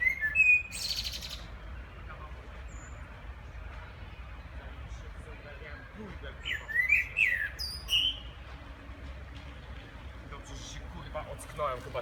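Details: Common blackbird in the background giving a brief fluty phrase near the start. A longer warbling phrase follows midway, with scratchy high twitters, all against a continuous low hum.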